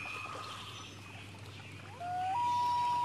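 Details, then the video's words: Loon on a lake in the morning, with water lapping. Near the end a clear, sustained tonal wail rises in a step to a long level note. A low steady hum runs underneath. "Lake Lapping in the Morning with Loons"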